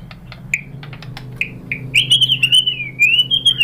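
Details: White-rumped shama song meant for training other birds: scattered short chirps and clicks, then a continuous high wavering whistled phrase that dips and rises, with a faint low hum beneath.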